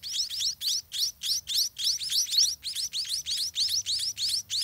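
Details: Parent-fed scaly-breasted munia chicks in the nest call for food with evenly spaced, high, rising chirps in quick pairs, about three to four a second, loud and clear.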